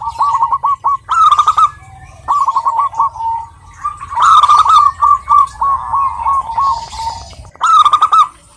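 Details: Female Zebra dove, local bird, calling a male with repeated rolling cooing phrases and bursts of loud trilled notes, separated by short quieter pauses.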